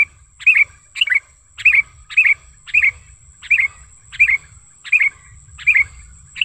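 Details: Wild sooty-headed bulbul, a natural lure recording for attracting and tutoring bulbuls: lively chirps with a fast down-up flick, roughly one or two per second, with a constant high-pitched whine behind and soft low rumbling.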